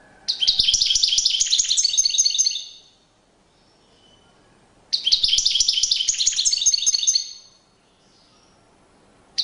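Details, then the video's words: European goldfinch courtship display song: two long bursts of fast, jangling high twittering, each about two seconds, separated by a quiet pause. "Magnifqiue chant une parade nuptiale تغريد رائع"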